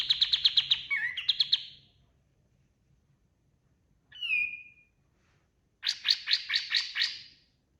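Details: Kapas tembak white-eye singing as a training master for other birds: a short, high, rapid trill, a pause, one sliding whistled note, then another quick run of bright repeated chips.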